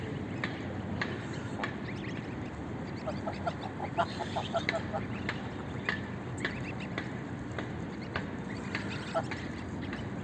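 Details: Greylag goose family from a flock, feeding on oatmeal outdoors: short nasal honks and quacking calls from several birds, scattered through the clip with a busy run in the middle, over a steady low rumble.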